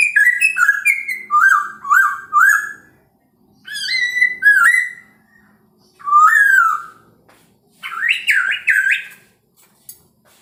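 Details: Chinese hwamei singing in the morning to provoke rival birds: varied whistled phrases, descending slurred notes in series, looping warbles, and a final burst of higher, strongly modulated notes, with short silences between phrases.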